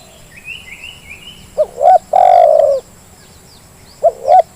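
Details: Spotted dove calling on a lure track for quiet birds. Soft high twittering from other birds is followed by the dove's two quick coos and a long throbbing coo, and a new phrase begins near the end.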